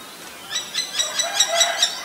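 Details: Common Myna in Ubon Ratchathani, Thailand, May 3, 2022, recorded with a Nikon P1000. A quick run of seven loud, rasping chack notes evenly spaced about a quarter second apart, with a faint lower tone under the later notes.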